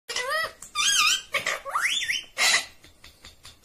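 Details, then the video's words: A talking parrot, apparently saying "mummy papa", gives a quick run of harsh, nasal, speech-like syllables with rising and wavering whistled tones, all within four seconds. "Natural Parrot Sound ❤️ talking Parrot mummy papa"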